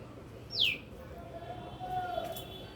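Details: A bird in a lemon tree gives a single sharp descending chirp, then a fainter, lower drawn-out whistle about a second and a half later, over steady background hiss.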